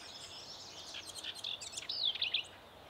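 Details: Broad-tailed hummingbird, a nesting female; soft high chirps build into a brighter cluster of sharp squeaky notes near the end, with faint hiss throughout.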